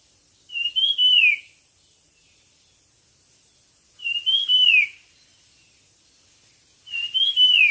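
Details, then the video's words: Bird singing in a competition, repeating the same slurred whistled phrase three times at roughly three-second intervals, each phrase rising then falling, with quiet gaps. "suab noog quaj dib tuaj zoo 100% chim hót đấu"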